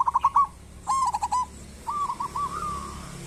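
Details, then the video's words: Local zebra dove singing as a lure for other birds: a rapid burst of short coos, a rolled phrase, then a softer, drawn-out wavering trill that trails off. "Perkutut lokal gacor pancingan perkutut super ampuh agar bunyi cepat gacor"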